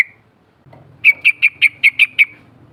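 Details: Untamed yellow-vented bulbul heard in a lure call: one short whistle, then seven evenly spaced, sharp, bright notes in quick succession over faint low background noise.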